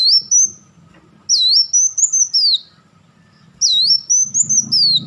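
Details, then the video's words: Black sunbird in crecetan style: two long, very high phrases of looping, dipping whistles that rise and then slide downward, separated by a pause of over a second, with a soft low rumble beneath. "crecetan dan tembakan beruntun Kolibri Wulung"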